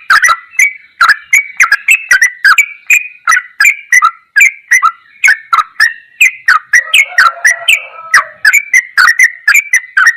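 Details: Long ropelan goklikan run from a sooty-headed bulbul, recorded to train songbirds: dense clicking chirps repeated steadily at about two per second across ten seconds, with a brief low buzz midway.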